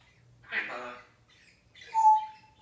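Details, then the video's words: Pet parrot chattering in a small room: a brief, harsh, speech-like syllable, then a pause, then a clear whistled tone that fades out at the end. "Zombie Parrot Wants Brains"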